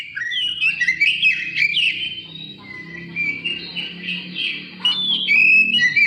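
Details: Oriental magpie-robin singing to prompt other birds to sing, pouring out rich, fast warbled and whistled phrases with bright rising and falling notes, nearly continuous over a faint low background hum.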